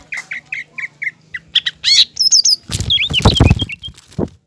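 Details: Green leafbird singing to provoke a speckled young leafbird into fighting spirit: a series of short clipped whistled notes, then louder buzzy bursts and high twisting whistles over heavy rustling or flapping noise.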